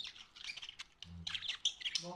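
Budgerigars chatter in quick, scratchy, high-pitched chirps and squawks, with a brief low voice in the background.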